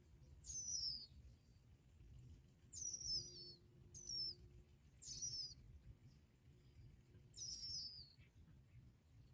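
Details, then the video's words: Bar-winged prinia chicks fed black locusts by both parents produce five or six sharp, high-pitched begging squeals, each dropping in pitch with a layered overtone, in irregular bursts every one to two seconds. "Both bar winged prinia birds brought black locusts for their children to eat"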